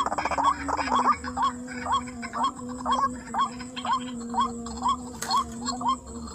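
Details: White-breasted waterhen being lured in a rice field, responding quickly: a rapid series of short rising notes, somewhat irregular, about two per second, over a steady droning hum, with a brief burst of other sound near the end.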